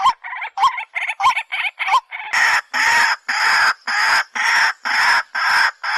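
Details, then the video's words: White-breasted waterhen calling: a run of short, lighter, inflected notes gives way to loud, broad, harsh croaks repeated roughly twice a second. "Dak pakhi sound very nice"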